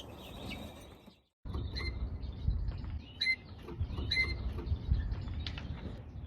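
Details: A captive-bred northern (Siberian, trumpeting) subspecies Eurasian bullfinch (Pyrrhula pyrrhula), held in a small show cage, gives three short, soft piping whistles with a deep, trumpet-like tone, about a second apart, over a steady low rumble and faint clicks.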